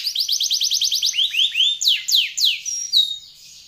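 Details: Canary song from Indonesia, a long ornate singing style kept as a master recording for training birds: a steady series of quick high rising-falling notes, then several sweeping downslurred whistles and a short high whistle.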